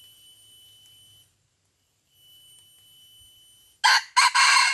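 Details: Wild red junglefowl from Aceh, Indonesia, drawn in by a decoy rooster during trapping and fighting it: a short, loud crow broken into two harsh bursts near the end, after steady high whining insect tones.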